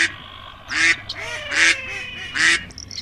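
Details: Three harsh, nasal duck quacks spaced under a second apart, loud and close, with little else heard.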